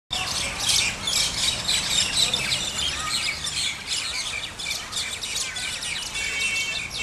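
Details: Several common mynas at Al Majaz Waterfront, Sharjah, UAE, on 4 January 2020 at 5:34 PM give a dense, continuous run of overlapping harsh, chattering chirps and squeaks.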